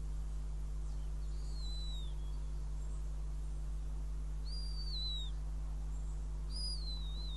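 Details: Northern goshawk at the nest, Riga, 5 June 2016, while a mouse is offered as prey. Three high whistled calls, each bending downward at the end, come about every two and a half seconds over a low, steady hum.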